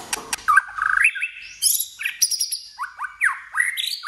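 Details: White-rumped shama stirred into contest singing. A few sharp ticks lead into a trilled whistle, then varied clear phrases and quick falling slurs repeated about twice a second, with high thin notes.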